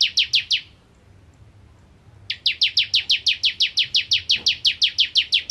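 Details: Bar-winged prinia (ciblek kristal) singing in the gacor nembak ngentrok style: a short burst of rapid, high, buzzy downslurred notes, a pause, then a long even train of the same sharp notes.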